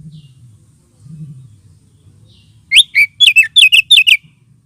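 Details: Oriental magpie-robin lure and therapy sound for birds lacking aggression: a rapid run of about eight loud, sharp whistled notes with quick downward slurs, following near silence and faint low rumble.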